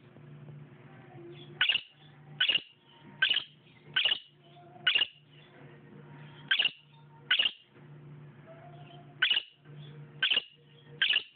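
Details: Pet bird calling for a companion bird in another room, possibly telling it there was water: sharp, high chirps repeated roughly every second, ten in all, over a faint low hum.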